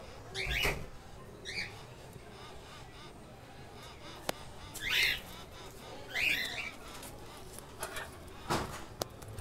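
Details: Keel-billed toucan chicks, one month old, give short raspy squawks in separate bursts, about five calls spaced irregularly. Faint background noise and a few clicks are also heard.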